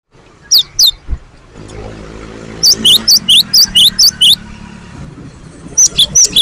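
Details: Great tit (gelatik batu wingko) song used as a lure to prompt other birds to sing. High two-note phrases, a rising whistle then a lower slurred note, come in a short burst, then a run of six quick pairs and a few more at the end over low rumbling background noise.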